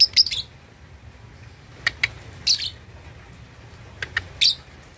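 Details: At two and a half months, a lovebird rehearses ngekek chatter with quick high-pitched chirps and a few lower clipped notes, delivered in small irregular bursts against a quiet background.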